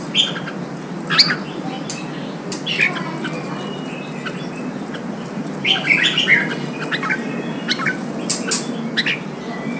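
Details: Red-whiskered bulbul, a newly caught wild bird, singing while being stimulated and trained for singing contests. Short bright whistled phrases around mid-high pitch come in scattered bursts near the start and again later over steady background hiss.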